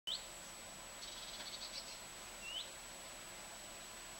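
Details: Common redstart perched in a garden bush in southern Sweden on 23 August 2014, giving two short, thin, upward-sweeping whistled notes over steady faint background hiss.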